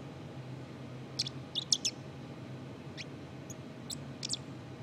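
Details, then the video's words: A black-capped chickadee gives soft, rambling subsong: scattered high chips and short squeaky notes, about eight in five seconds, over a low steady hum. "Black-Capped Chickadee Sub-song"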